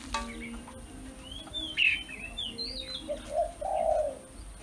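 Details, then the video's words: Escaped singing female Oriental magpie-robin, found among the owner's kept birds and trapped, gives a few clear whistled phrases sliding high and low, then lower cooing notes from another bird near the end. "Chim Chòe Than Mái Hót"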